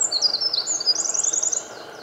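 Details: Wren in Japan, 8 May 2014, singing freely while bathed in morning sunlight; a very high, rapid, tinkling run of notes with fast trills, shifting pitch, above a soft low rumble.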